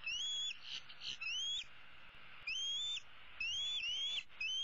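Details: Female bald eaglet begging her parents to bring food while perched with her right leg dangling, 15 April 2016; steady series of piercing rising whistles, each ending in a downward slur, repeated roughly once a second in short groups.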